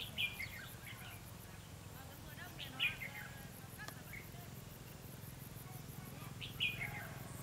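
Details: Red-whiskered bulbul kept as a trapping decoy gives three brief sharp chirped notes, spaced about three seconds apart, against constant low background hum and a thin high buzzing.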